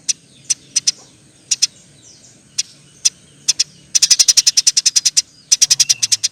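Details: Eurasian tree sparrow, a busy singer, starts with scattered single and paired high chirps, then breaks into a dense run of around fifteen fast chirps, with a low hum underneath.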